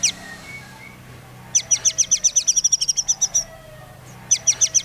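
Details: White-rumped shama song meant to trigger other shamas to sing: a brief whistle, then a fast rattling trill of evenly repeated high notes, about four per second, followed by a shorter second trill.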